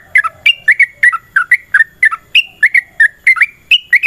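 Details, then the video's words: Long, fast fighting song from a sooty-headed bulbul, played to draw other birds into singing: a steady run of short, liquid, warbled notes with rising and dropping inflections, a few each second, without pauses. "TRUCUKAN GACOR TARUNG ROPEL PANJANG"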